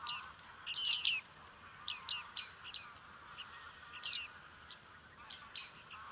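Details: Bearded reedlings at Liepāja, Latvia, in July 2023, uttering clipped bright pinging calls in loose bursts of two or three, with a steady low murmur in the background.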